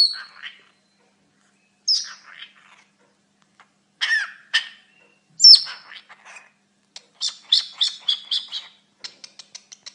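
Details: Talking pet cockatiel indoors: scattered raspy syllables and squeaky chirps, then a fast series of clicking, chattering notes, ending in evenly spaced sharp ticks.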